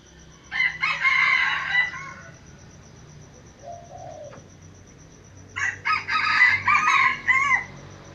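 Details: Aceh jungle fowl, F1 lure bird, gives two loud harsh crows, each about one and a half seconds long with a broken, rasping pattern, separated by a quiet gap with a faint low call.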